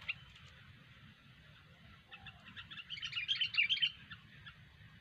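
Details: Kutilang, the sooty-headed bulbul, in full gacor song: a quiet start, then a rising burst of rapid, high chirping and twittering notes that fades again, over low background rumble.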